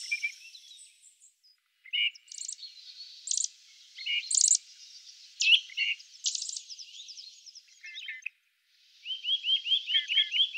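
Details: Great grey shrike recorded in the Loonsche Land by Efteling: scattered chirps and brief buzzy rattles separated by gaps, closing with a quick row of rising squeaky notes.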